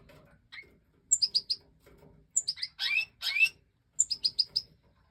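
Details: European goldfinch (Major form) recorded during the 2024 breeding season: quick runs of high tinkling chirps, interrupted by two rasping, buzzy notes, then another bright run of four to five notes.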